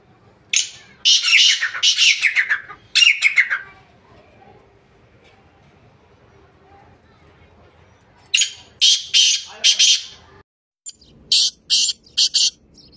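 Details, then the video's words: Black francolin (Sindhi or kala teetar) calling, recorded 2 January 2024: two long runs of loud, rasping, scratchy notes, the first ending in a falling phrase, then short clipped bursts after a quiet gap. "kala Teetar Ki Awaz Sindhi Teetar Ki Awaz Sindhi Teetar Black Teetarvoice Francolinvoice"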